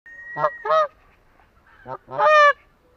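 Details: Atlantic Canada goose giving loud, nasal honks: two quick harsh notes, a pause, then a rising two-part honk, with a thin steady whistle-like tone in the background.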